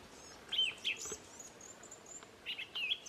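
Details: Short bursts of clear whistled phrases from a thrush in New Zealand, singing its well known tune; a thin high trill runs faintly between phrases.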